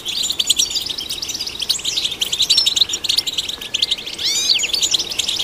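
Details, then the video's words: European goldfinch singing to stimulate goldfinches, a bright, busy twitter of clipped chirps and buzzy trills, ending with a few clear upward-swept whistles. "Golden Songbird vocal performance to stimulate the goldfinch"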